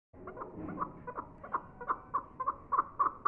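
A chukar gives a series of clucking, mid-pitched chuck notes that speed up and grow louder, about three or four a second by the end.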